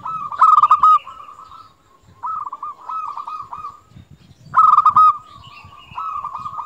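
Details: Actively singing local zebra dove gives loud, bright rolling coo phrases, each followed by softer trilled notes, the pattern repeating twice with faint low thumps in the background.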